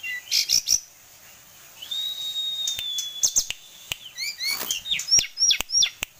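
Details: Kept tame sulingan gunung with a rich repertoire: a few high chips, a long level whistle lasting over a second, then a lively run of short descending whistled notes mixed with sharp clicks.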